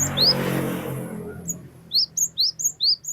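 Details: Glatik batu, the cinereous tit, giving its long wucit wucit song: after a loud low rumble, high rising two-part whistled notes repeat quickly about twice a second, bright and sharp, with faint hum beneath.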